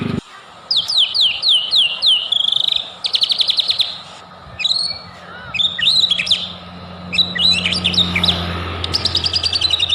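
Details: White-rumped shama song used to provoke singing: repeated downslurred whistles, rapid buzzy rattles and varied sharp chips in quick bursts, with a low hum in the background.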